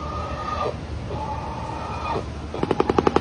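A shoebill gives a short burst of hollow, rapid clattering, like a wooden machine gun, after nearly three seconds of steady background hiss and rumble.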